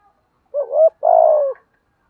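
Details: Decoy spotted dove cooing to draw in wild doves: a short, slightly rising coo, then a longer, rolling, throbbing coo held at steady low pitch before dropping away, clean and close with no other sounds.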